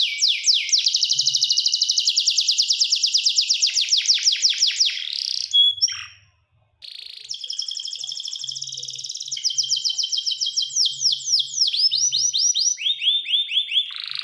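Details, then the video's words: Canary pouring out fast, buzzy rolling trills for several seconds, falling silent for about a second, then resuming with varied tours of rapid repeated notes at shifting pitches. "The Voice of the Canary Bird, singing a super relaxing bird melody"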